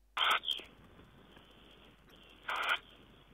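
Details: Tawny owl, recorded 4 June 2010, uttering a loud, rasping screech followed by a short echoing tail, then a second hoarse screech about two seconds later over faint hiss.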